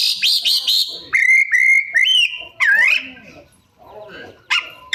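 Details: Oriental magpie-robin giving imitated song phrases: a quick series of high looping buzzy notes, then long level whistles, a wavering rising slur, and scattered sharp chips after a short quiet gap.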